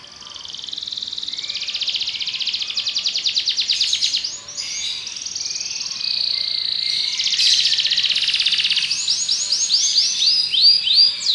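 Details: Belgian canary in song, running through several contrasting trilled tours: a buzzy rapid roll, a brief pause, a steadier high trill, then quick looping down-swept notes.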